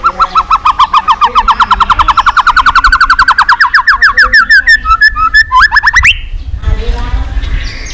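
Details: White-rumped shama singing for duel training: a long, rapid series of swept whistled notes rising gradually in pitch, ending in a few higher notes before quieter background noise.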